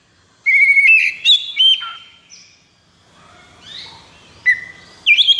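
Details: White-rumped shama in high breeding condition, caged, gives a loud phrase of sustained whistles and slurred notes, then a quieter pause and a fresh burst of ringing whistles.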